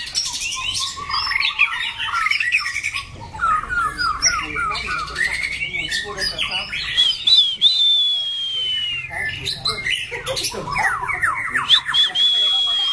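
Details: A caged white-rumped shama bred for singing contests, said to have a loud, harsh, shifting voice, delivers a long varied song of rapid chirps, trills and descending whistles, with drawn-out high whistles between bursts.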